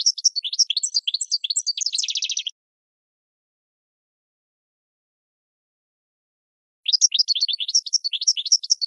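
Goldfinch song: fast, high, liquid twittering with a buzzy trill, then a four-second pause before the tumbling phrases resume.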